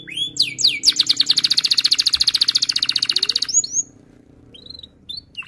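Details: Canary singing a tight rolling trill, used as a lure for young canaries learning to sing; rising whistles lead into a long rapid pulsed roll, followed by faint chirps.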